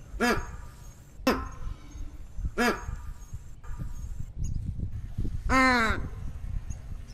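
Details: American white ibis uttering hoarse, harmonic honks, three spaced notes, then a longer, drawn-out nasal honk near the end, with steady low rumbling noise underneath.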